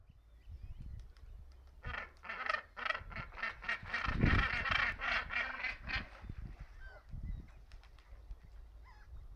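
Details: Captive Northern Gannets at a bird rescue centre on Texel, in spring courtship, clattering bills together and giving harsh, grating throat calls in quick bursts, about three a second, with dull low knocks underneath.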